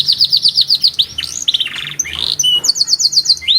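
A canary sings a fast, varied song: rapid repeated chirps around four per second, trilled rolls and bright whistled notes shifting in pitch.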